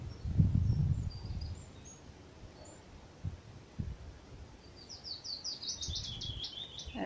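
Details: A willow warbler singing from a willow near a rookery gives a soft, sweet phrase of quick notes that starts enthusiastic, cascades downward and fades as if running out of steam, over steady low wind rumble with a few faint chirps before.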